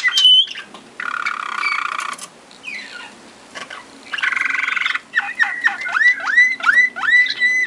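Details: A Waterslager (Malinois) canary, recorded in Sakarya in 2011, sings low, bubbling rolls, then a run of quick, liquid notes that swoop downward.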